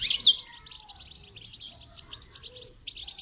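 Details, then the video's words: Goldfinch song for training: a loud, sharp opening chirp followed by quieter, rapid high twittering notes in a continuous ripple. "Motivational rewards for training goldfinch to song"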